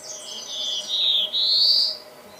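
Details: A Black-throated Blue Warbler (Setophaga caerulescens) sings a husky, buzzy series of high notes lasting about two seconds, ending in a rising drawl; the background is quiet.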